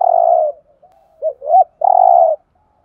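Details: Spotted dove thúc gù call in the Thổ voice, used as a trapping decoy: a long hollow coo, two short rising coos, then another long sustained coo.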